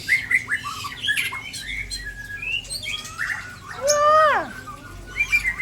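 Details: White-rumped shama from Aceh, Indonesia, showing off a full repertoire of mimicked song fills: brief whistled and chattering phrases, then a loud harsh descending squawk with stacked harmonics near four seconds, and a final high whistle.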